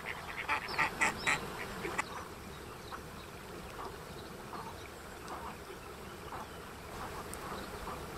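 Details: A female mallard struggling to keep her brood of ten in order gives a quick burst of four or five nasal, raspy quacks, then only faint scattered quacks over a soft, steady background murmur.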